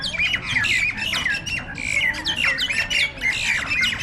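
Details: A gang of jalak nias starlings fighting, a tense clash; non-stop grating squawks with interleaved bent whistles, bursts overlapping at an uneven, hurried pace.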